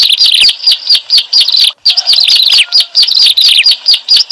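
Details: Bar-winged prinia (ciblek alang-alang) lure sound for trapping birds: sharp, squeaky chirps repeated in rapid bursts, with a brief silent gap partway through.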